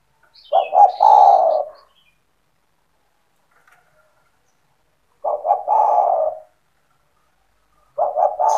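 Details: Spotted dove with a lively, persistent voice, kept by its owner as a lure for other doves: three mellow cooing phrases separated by long pauses, each opening with short clipped notes and ending in a drawn-out hoarse coo.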